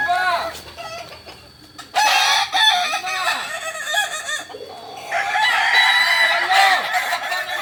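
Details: Several Kokok Balenggek roosters at a training session in Ampang Kualo, Solok, West Sumatra, crow in turn; long crows made of rapid repeated looping syllables, with a short quiet gap before louder overlapping crowing resumes.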